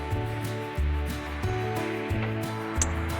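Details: Instrumental music with a repeating low bass pattern and sustained tones, with no animal sound.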